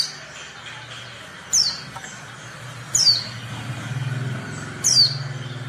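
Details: Three sharp, falling high whistles from a female Oriental white-eye, a call to make reluctant males sing, with a low engine-like rumble beneath the later notes.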